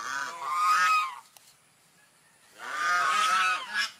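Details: Swan honking in two loud, rough bursts, each about a second long, separated by a quiet gap.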